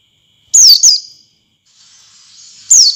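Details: Oriental white-eye lure song for prompting other white-eyes to sing: a loud, high double whistle sliding downward, a short quiet pause with faint thin notes, then another single falling whistle.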